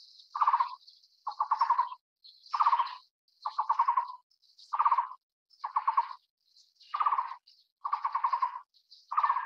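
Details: Taiwan barbet from Taiwan's low and mid-elevation broadleaf forest: a steady series of nine hollow, low pulsed trills, each under a second long and spaced about a second apart, with high insect buzzing in the background.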